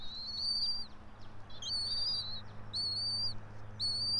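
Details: Bald eagle at a nest atop a pine some 90 feet high in Johnson City, Tennessee, 04.03.2024 at 06:28: four sharp, thin whistled notes with falling tails, unevenly spaced, over a constant low hum.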